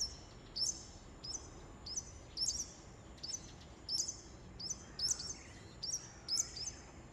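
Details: Japanese wagtail at 08:25 on May 23 in Shikokuchuo, Japan; sharp high buzzy two-part calls repeated about every half second to second, with a faint steady background hiss.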